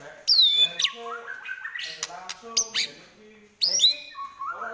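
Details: White-rumped shama in fighting mood, trotol-style singing: loud high downward-sweeping whistles that open each phrase, followed by harsher, lower chattering notes and a soft rising warble.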